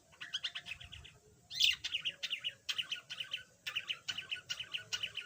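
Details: Yellow budgerigar, once silent, now starting to chatter: runs of rapid buzzy chirps in short repeated phrases, with one sharp squawk at the start of a long chattering stretch.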